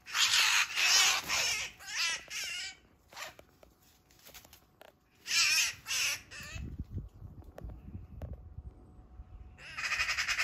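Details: Eurasian magpie attacked by a Eurasian sparrowhawk in a backyard, with a second magpie later joining the fight: long bursts of harsh, grating, rattling chatter, repeated in three loud spells separated by quieter gaps with faint rustling.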